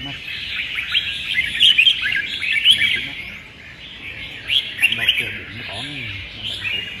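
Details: Red-whiskered bulbuls in a singing contest on 15/12, giving bright, warbled chirping phrases in quick bursts, fading briefly mid-way before another lively run, with faint human voices beneath.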